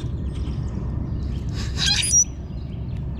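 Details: Common grackle eating seed in a backyard, puffing up and giving its high-pitched shriek: one short, harsh, squeaky burst midway with a thin high whistled tone on top, over a steady low rumble of background noise.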